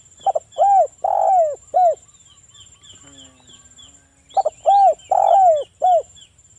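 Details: Local spotted dove singing vigorously, used as a lure to make other doves call: two cooing phrases, each a short note, a mellow coo, a long drawn coo and a falling final note, with a quiet pause between and faint high chirps.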